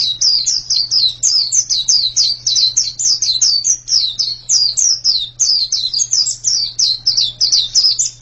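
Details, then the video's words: Fast, rhythmic white-eye song of many high, thin descending chirps delivered in tight groups, bright and continuous, with a low background hum. "Ini pasti pleci yang sangat super itu kicaunya"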